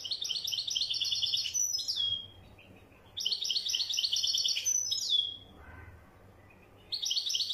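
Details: European goldfinch of the wedyani kind in song, giving three bright phrases of fast liquid twittering, each ending in a thin downslurred note, with short silent pauses between them.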